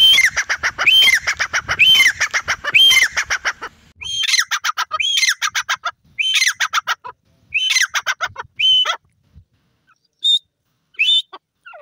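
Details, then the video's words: Grey francolin calling near chicks: rapid trains of harsh, grating pulses with whistled upslurred notes on top, repeated in bursts about a second long, trailing off into sparse single squeaky notes in a quiet background. "grey Francolin voice,Teeter bird ke awaaz,teetar chicks"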